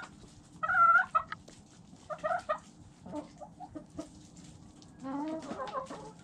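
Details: Chickens eating, with sharp dry pecking taps scattered throughout and several short harmonic clucks in brief bursts near the start, middle and end, over a quiet background.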